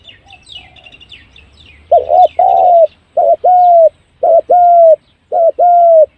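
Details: Spotted dove used as a decoy to bring wild doves in quickly: low, hollow coos in pairs, a short note followed by a longer drawn-out one, repeated about every second, after faint high chirps from another bird.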